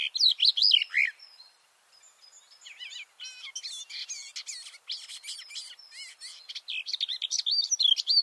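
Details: Close-range garden warbler song, microphones two meters under the singing male in a bush: rapid mellow warbling, a short quieter stretch of thin high notes, then another rush of rich, tumbling phrases.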